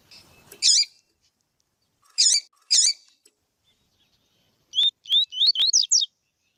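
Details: Coleiro tui-tui, the double-collared seedeater, with a female calling to warm up a male. Three raspy chirps come first, then a fast series of six sharp, rising whistled notes.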